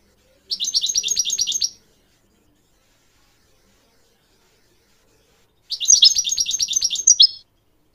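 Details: Goldfinch training song for young mules and canaries: two separate bursts of rapid, rhythmic chattering notes, each lasting over a second, with a long quiet gap between them.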